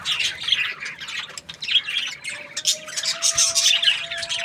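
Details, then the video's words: Budgerigar in a happy mood, chattering nonstop in rapid, buzzy, squeaky chirps; a faint steady tone hums underneath in the second half. "Happy Budgie chirping sounds"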